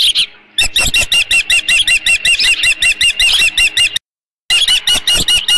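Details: Osprey at its nest with leftover fish, 13 June 2018, late morning: an almost unbroken string of loud, high, downslurred whistled notes, about six each second, with one brief silent gap.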